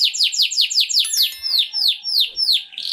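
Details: Canary song for training and breeding stimulation: a fast run of falling chirps that slows into longer downward-sweeping whistles, with a soft hiss at the end.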